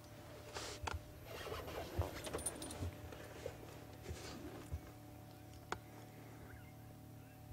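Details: A low vehicle hum runs throughout, with scraping, rustling and a few sharp clicks like zips or keys. Faint speech may be present, but no animal sound is heard.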